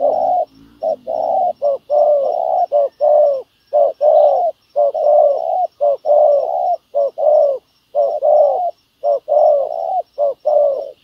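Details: Ground-trapping spotted dove decoy cooing at length, its deep hollow notes grouped in short and drawn-out pairs, about one per second, following a brief low rumble at the opening.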